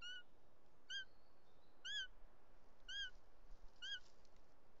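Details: Bonelli's eagle at a nest in Els Ports Natural Park, Catalonia, on an afternoon, 2 July 2023, as a male brings a snake for the chick and a strange female arrives. Short arched whistled notes with overtones, about one per second, over a low hiss.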